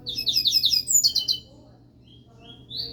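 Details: Caged double-collared seedeater sings a quick burst of rasping, slurred high notes ending in piercing whistles. Near silence follows, with a faint low hum, then a short rising whistle at the end.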